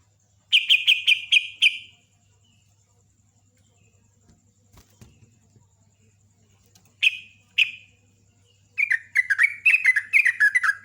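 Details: Sooty-headed bulbul singing in a loud, rapid-fire champion style: a quick burst of bubbly chirped notes, a long pause, two short phrases, then a fast chattering run of descending warbles. A faint low hum runs underneath.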